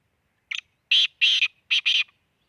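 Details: Black francolin at Khushab uttering its rhythmic rasping call, a short note then two longer harsh bursts and a final tight pair, about one and a half seconds in all, loud with no background noise.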